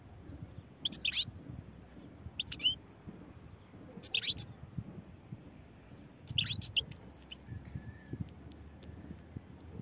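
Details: European goldfinch uttering brief, bright chattering phrases of quick high notes roughly every one to two seconds, some with tinkling trills. Background low-pitched noise throughout.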